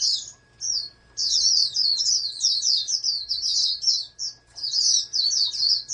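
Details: Oriental white-eye kept for breeding as a prospective national contest champion, singing high, rapid twittering phrases in bursts with short pauses between them, a faint steady hum underneath.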